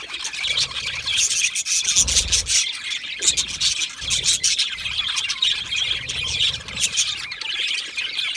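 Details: Budgerigars in a colony chirping happily, a busy, overlapping stream of harsh squawks, twitters and high chirps without pause, accompanied by occasional dull low thuds.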